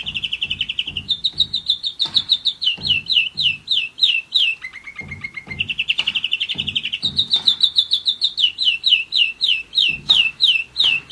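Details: German Roller-split canary a year old singing repeated phrases: a brief trill, strings of swooping whistles, a low rattling roll, then the whistled series again, with soft low knocking underneath.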